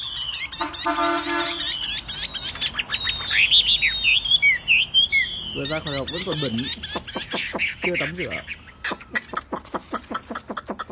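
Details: A tame, caged Chinese hwamei that will sing on a table or held by hand mixes rapid dry clicks and chattering with a burst of bright twisting whistles, followed by buzzy notes and a long series of sharp ticking pulses.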